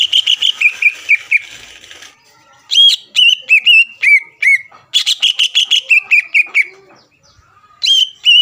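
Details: Greater green leafbird (cucak ijo) song used to provoke rivals and steady a contest bird's temper: bursts of quick whistled, slurred notes separated by short pauses, with a faint low sound in the background.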